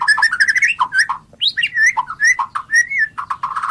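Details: White-rumped shama (murai batu) in a tutor recording, delivering a fast, continuous stream of varied clear whistles, slurred rising notes and short chattering trills, loud and rich with almost no pauses.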